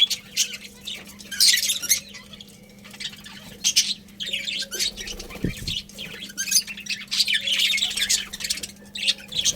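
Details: Budgerigar colony chatter: clusters of harsh, buzzy chirps rising and falling in intensity, with a brief thump midway and a constant low hum.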